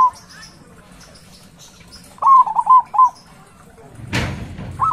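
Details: A loud local zebra dove, kept as a lure for other doves, utters one short phrase of rapid, trilled cooing notes, then a brief rustle or knock, and starts another phrase at the end.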